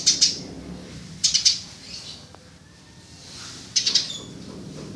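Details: Eurasian tree sparrow, known locally as burung gereja or burger, used as a tutor for songbirds; three short clusters of quick high chirps spaced a second or more apart over a quiet background.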